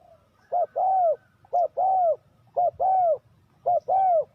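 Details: Spotted dove calling as a decoy for trapping wild doves: four rhythmic pairs of coos, a short note leading into a longer arched one, roughly every second, over low background hum.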